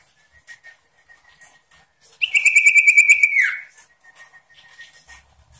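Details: Sooty-headed bulbul singing persistently with varied phrases meant to provoke a rival: a loud, buzzy, rapidly pulsed trill held about a second and a half, dropping in pitch at the end, amid faint scattered chirps.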